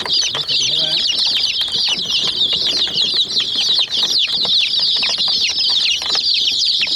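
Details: Flock of young hen chicks attacking a miniature toy jeep; a constant chorus of shrill overlapping peeps, short bright notes tumbling over one another with no pause, plus light clicking pecks against plastic.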